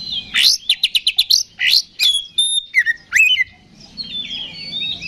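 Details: Oriental magpie-robin delivering ngeplong fighting song to work up other magpie-robins; a fast stutter of short buzzy notes, a long pure whistle, dropping slurs, then soft warbling trailing off at the end.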